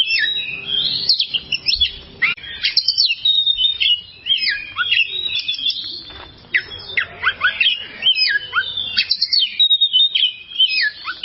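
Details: Oriental magpie-robin singing on a long tutor recording meant for other birds. A rich, continuous medley of loud whistles, steep falling slurs and rapid repeated notes carries on for over ten seconds with few breaks.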